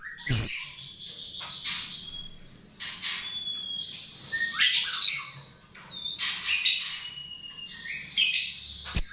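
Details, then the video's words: Chestnut-tailed starling used as a lure: rasping, squawking bursts and high buzzy phrases in short bouts, with a sharp click at the start and the end. "Pancingan Jalak RIO RIO"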